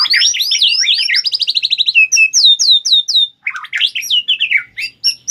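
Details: White-rumped shama, a caged fighting bird being challenged, pours out loud rapid repeated upslurred whistles, then a series of clear falling whistles and choppy varied chattering notes.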